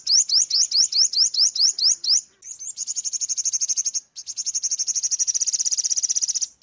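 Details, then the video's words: Ornate sunbird giving about eight sharp, upslurred high notes in quick succession, followed by two long, buzzy, rattling trills at a steady high pitch. "Tiếng chim Hút mật 5 màu | Ornate Sunbird | นกกินปลีอกเหลือง"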